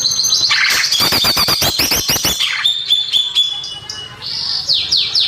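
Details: Song of the greater green leafbird, a natural recording used to lure young birds: a dense stream of rapid clicking and warbled notes, then thin level whistles and a series of quick descending slurred notes.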